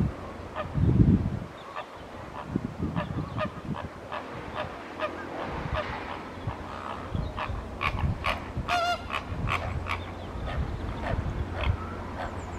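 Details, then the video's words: Unsettled flamingos in a flock, agitated by disturbance and attempting flight, calling to others in the group: repeated short nasal honks from several birds, with a louder stacked call near the end over a steady low rumble. "Behavioural indicators of flamingo welfare: agitation and attempts at flight"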